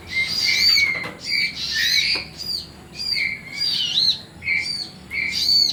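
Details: Nestling Olive-backed sunbirds being fed, giving repeated bursts of high, squealing chirps in pulses about every second, with brief fluttering between bursts.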